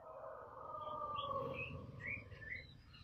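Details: Cililin bird calling loudly with short, high, slurred chirps in quick irregular succession over a steady low droning hum.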